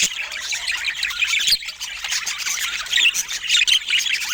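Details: Several budgerigars chirping steadily: a dense, busy chatter of short squeaky notes and warbled twitters overlapping without pause, with a few brief sharper squawks and no music or voices.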